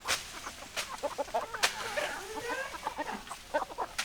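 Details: Hens and roosters in a group cluck in short, quick, overlapping notes. A few longer, drawn-out calls rise and fall in the middle, and sharp clicks and knocks break in now and then.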